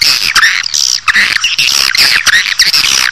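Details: Dense swiftlet chattering for luring a colony inside a building: harsh, buzzy, wavering calls overlapping almost without pause, with a few short dips, over a faint steady hum.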